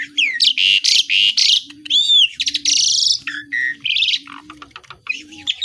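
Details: Asian pied starling giving a dense song of imitations, with loud buzzy rasps, a looping whistled note and scratchy chatter, over a repeated low hum in the background.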